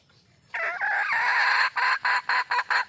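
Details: Red junglefowl hen in the wild calling for a male: a long, drawn-out harsh squawk lasting about a second, then a quick series of clipped, evenly spaced clucks.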